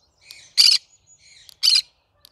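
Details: Cinnamon green-cheeked conure, a pet parrot, singing: two loud, harsh, broadband screeches about a second apart, with soft chattering notes before each.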